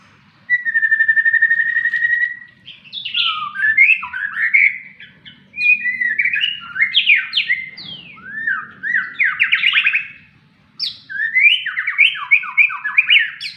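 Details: Caged white-rumped shama (murai batu) sunning, singing a rich varied song: a long steady whistle, then rapid cascades of sweet rising and falling notes in phrases with brief pauses between them.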